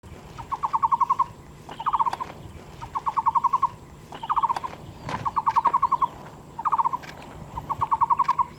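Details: Taiwan barbet, a wild bird endemic to Taiwan, giving rapid trains of low hollow knocking notes, each burst roughly half a second to a second long, repeated in short bouts with brief pauses; faint background clicks and a steady hum.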